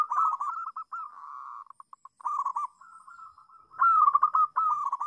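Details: Melodious song of a local zebra dove, used as a model for young doves still learning their sound: repeated rolling coo phrases, some loud and some faint, broken by short pauses and ending in a strong burst of cooing.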